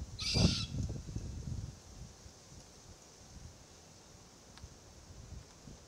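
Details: Immature Forest Red-tailed Black-Cockatoo in a Marri tree gives a single harsh, high, wheezy begging squeal, followed by low crunching as the adults of its family group feed on green gumnuts nearby.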